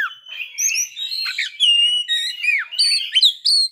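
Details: An Oriental magpie-robin sings a playful, varied phrase: sustained whistles with wavering, slurred notes and high, thin tones, flowing without a break and ending in a few bright, clear whistles.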